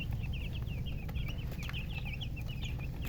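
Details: Dense chirping from chickens, colour chicken and murgi hen: rapid high downward-slurred peeps tumbling over one another almost without pause, above a steady rumbling low background drone.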